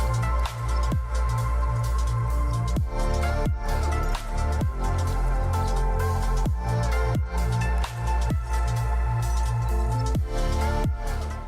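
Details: Electronic music with a heavy, pulsing bass and drum beat throughout, and no animal sounds.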